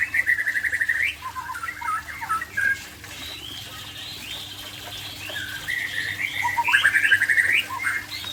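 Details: White-rumped shama from Aceh, late afternoon: bursts of rapid rolling chatter and warbled whistles, some rising sharply, with a quieter stretch in the middle and a steady low background hum.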